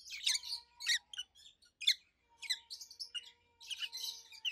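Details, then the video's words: Two adult rosy-faced lovebirds kept in captivity giving dense, rapid high chirps and chattering bursts about twice a second, with a faint steady low tone in the background. "Rosy-faced Lovebirds Call Sounds"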